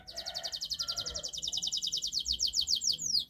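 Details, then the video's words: Persistent canary master song for coaxing a canary that will not sing: a fast, even trill of high metallic notes, about three and a half per second, running continuously and closing with a few longer down-slurred whistles. "Masteran kenari GACOR NGOTOT untuk Pancingan Kenari Tidak Mau Bunyi Agar Bunyi"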